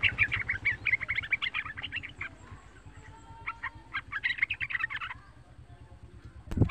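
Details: Young pet yellow-vented bulbul singing to lure other bulbuls into song. It gives fast bubbling chirpy phrases in two bursts with a pause between, over a steady low hum, and a sharp knock at the end.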